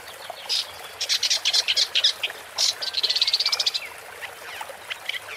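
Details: Woodchat shrike singing, filmed while birdwatching: scratchy, chattering high phrases in short bursts, with a fast run of rapid repeated notes in the middle, over a steady background hiss.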